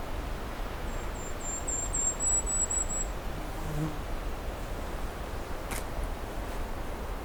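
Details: A kinglet, thought to be a Golden-crowned Kinglet, in a cedar swamp north of Pine Tree Harbour gives a thin, very high series of about eight quick tsee notes, speeding up over two seconds, more like its call than its song, over a steady low rumble.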